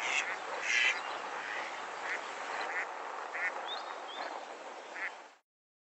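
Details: Female Mallard giving harsh, nasal quacks with rising overtones, loud at first, then spaced about a second apart, over steady hiss. The calls resemble Gadwall but span a narrower frequency range with less low energy; females can be quite vocal at night.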